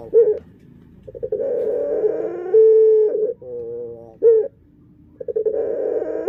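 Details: Dove with an unusual, unique voice, kept in a breeding setting: low, hollow cooing phrases with rolling, stuttered notes and a brief steady tone, broken by short pauses and repeated through the clip.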